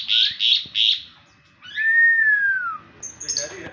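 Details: In the morning, an Asian pied starling gives three quick harsh, scratchy notes, then one long clear whistle that slides gently downward, ending in a few thin high squeaks.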